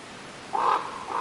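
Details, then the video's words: One harsh raven call, with the start of a second call cut off at the end, over a hissy background. "Raven Bird Sounds"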